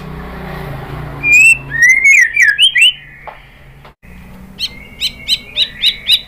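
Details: White-rumped shama song meant to provoke other birds to sing: a rich warbled whistle sequence, a pause, then six evenly spaced, rising chip notes.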